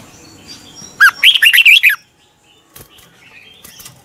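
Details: Red-whiskered bulbul practising its morning song, used as a lure to train birds; one quick phrase of about seven clear, wavering whistled notes, followed by quiet with a few faint chirps.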